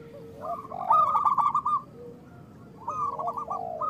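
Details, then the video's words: Local zebra doves in full song, played to get idle doves singing: soft lower arched coos rising into a burst of staccato notes, a quiet stretch, then another phrase begins. "Perkutut lokal gacor Suara Besar Pancingan Perkutut Cepat Bunyi Gacor"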